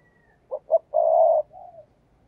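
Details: Spotted dove acting as a decoy to lure other doves: a brief thin whistle, then two short notes, a long coo and a soft falling tail note over low background hum.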